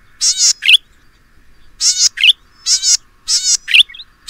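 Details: Golden-headed cisticola of the Taiwan endemic subspecies, living in grassland in Pingtung County, Taiwan, 2015: repeated pairs of a harsh buzz and a bright ringing upslurred note, four times in quick succession, with a faint hum behind.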